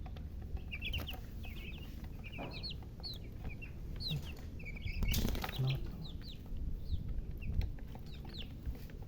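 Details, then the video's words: Young chicks give scattered high, short peeps in small groups, more spaced out than a chorus, with a low droning hum and a few soft knocks and thumps in the background. "silly chicken chirping sounds"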